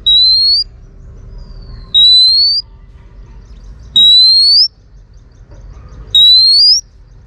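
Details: Stimulating song of a female Oriental magpie-robin aimed at males: four sustained, clear whistles that each rise gradually in pitch, spaced about two seconds apart, with quiet hum in the background.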